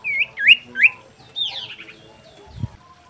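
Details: Common iora song used as a breeding lure: three quick rising-falling whistled notes, then a buzzy downward slur and fainter chirps, with a low thud near the end.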